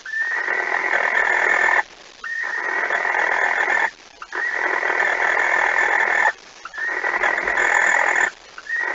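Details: Barn owl at the nest before dawn on 26 August 2019, while the second mouse of the night is delivered: a run of long, rasping, snore-like hisses of about two seconds each, with brief gaps between them.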